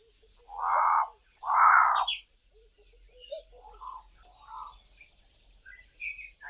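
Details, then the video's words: Two Cape crows calling from treetops in the dawn chorus: two loud, harsh, drawn-out caws in quick succession, then fainter calls, with other birds chirping softly. "CAPE CROWS calling in the dawn chorus"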